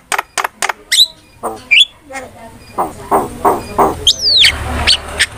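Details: Starling lure and master sound for training songbirds: clicky sharp notes and slurred whistles open, then a run of rhythmic nasal chattering syllables, ending with a high descending whistle and scattered chips.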